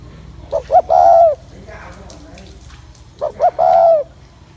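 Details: Spotted dove coo to excite males, given twice: two short clipped notes then a drawn-out mellow coo falling at the end, about two and a half seconds apart, faint murmur between.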